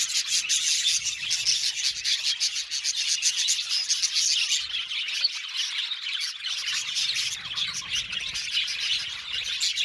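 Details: Budgerigars kept as an aviary colony, giving a steady, crowded chorus of high chirps and warbling chatter, busier in the first half, with scratchy squawks mixed into the twitter.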